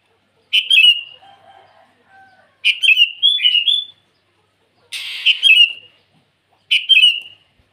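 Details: Sooty-headed bulbul singing lively to call rivals in the morning: four short bubbly whistled phrases, each rising then falling, about every two seconds, with a fainter low warbling sound between the first phrases.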